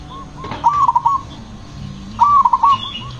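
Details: Zebra dove, loud and soft-voiced, gives two rapid stuttering coo phrases about one and a half seconds apart in the 'ngepat' rhythm that provokes other doves to sing. A faint dove calls between them.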